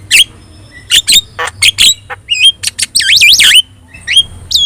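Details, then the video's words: Yellow-eyed Javan myna in full song, kept as a master recording for training songbirds: harsh squawks and clicks mixed with looping, wavering whistles that rise and fall several times in a row. "JALAK KEBO GACOR MATA KUNING | Untuk Masteran Kicau Jalak"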